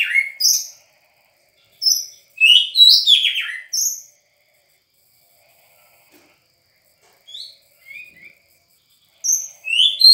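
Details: A newly obtained raw (untrained) White-rumped shama sings bursts of rich, varied whistles and rapid descending trills, with phrases separated by pauses of a second or more, and no other sounds.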